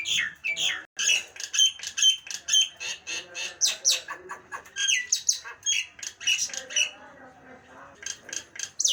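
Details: Nias hill myna delivering a long, fast series of sharp, clipped whistles and squawks, about two each second, before quieter notes trail away.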